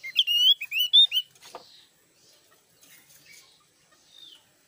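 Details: Javan grey-throated white-eye in loud song, a brisk string of ringing whistled notes with bending pitch for just over a second, then a soft rustle and scattered faint high chirps.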